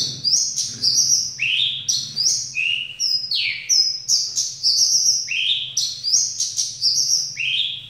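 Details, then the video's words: Caged Javan bush lark, a bird kept by Indonesian songbird hobbyists, singing its 'ambulance' style song: high sweeping notes that fall and rise again, repeated in looping phrases about every second, over a low hum. "Branjangan dasyat joss"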